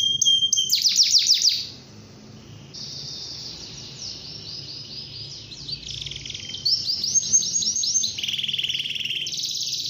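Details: Canary in full morning song, meant to set other canaries singing: fast trilled rolls of high notes, a brief pause, then long sustained buzzy trills shifting in pitch and switching to rapid pulsed phrases.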